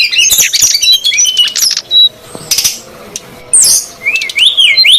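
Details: Brown-chested jungle flycatcher, female and male calling noisily, used as a lure for wild birds: high twittering whistles and sharp chirps, a few clean rising-falling notes near the end, with short quiet gaps between bursts.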